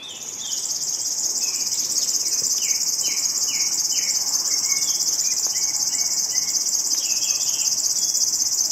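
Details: River warbler (Locustella fluviatilis) near Denisovo, Pronsky District, Ryazan Oblast, Russia, in May 2021, delivers a steady, high, cricket-like rhythmic buzzing, about three pulses a second, with short descending whistles from another bird behind it.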